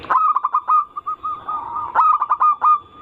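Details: Zebra dove anggungan song, used as a lure to stir other zebra doves to sing: two phrases, each a burst of sharp clipped coos followed by a held, rolling note.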